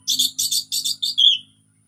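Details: Orange-headed thrush in relaxed song, used as a lure to prompt silent thrushes to sing: four quick bursts of high, rich twittering notes, then a falling whistled phrase, with a faint low hum behind.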